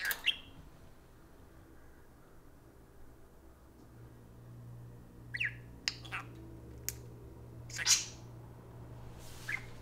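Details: Two pet parakeets indoors take turns "talking" to a spoon: short, scattered high chirps and squawks, about six in ten seconds, with quiet pauses over a low indoor hum.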